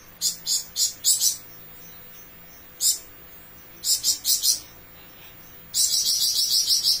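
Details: A flamboyan bird, singing actively in long bursts, starts with scattered short groups of sharp high chirps. It ends in a sustained, fast, buzzy trill of shrill high notes.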